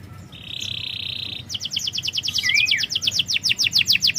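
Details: Canary song used to coax a reluctant singer: a flat buzzy note held about a second, then a long, accelerating trill of crisp high chips with one swooping whistle mixed in.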